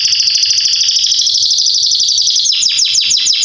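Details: Belgian canary in full, forceful song, a bird suited to training young singers: a long fast rolling trill slowly rising, then a burst of quick downward-swooping notes.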